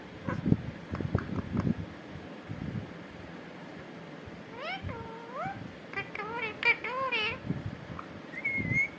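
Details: Pet parrot talking, said to be repeating "katore": after about four seconds of low knocking and room noise, a drawn-out rising-falling nasal syllable, then several quick wavering harmonic bursts and a final short high note.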